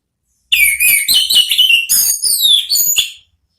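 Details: Orange-headed thrush delivering ngeplong song, used to entice other thrushes into answering: a loud, varied sequence of whistled slurs, dropping then rising, with a long falling sweep before a final sharp note.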